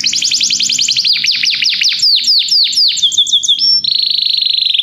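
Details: Loud Belgian canary song: a bright fast trill, then rhythmic descending swoops, quick chirps, and a closing dense buzzy roll.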